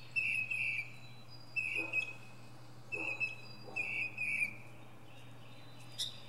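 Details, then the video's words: Northern mockingbird singing from the top of a pine tree: loud whistled doubled phrases, repeated four times with pauses of about a second, then a short high note, over a faint hum. "Northern Mockingbird goes thru his greatest hits!"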